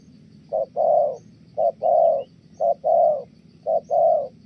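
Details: Thổ-style coo of a spotted dove in Kon Tum, Vietnam, a trapping decoy: four paired coos, each a brief hoot then a drawn-out warm one, evenly spaced about a second apart.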